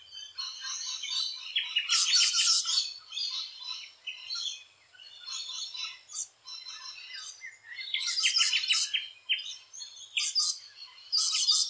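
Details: Rainbow lorikeets around their nesting holes in Australia keep up a noisy stream of shrill screeches and rattling chatter, swelling into loud dense bouts then easing off.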